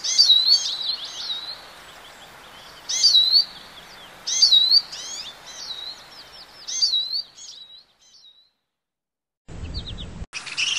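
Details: European goldfinch repeating short, sparkling bursts of fast twittering and slurred whistles every couple of seconds, then falling silent before a brief abrupt noise at the end.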